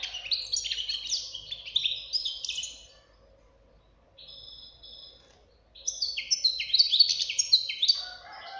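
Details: Young European goldfinch singing rapid twittering phrases, a pause with a thin steady note, then another exuberant burst of chirps and buzzy trills.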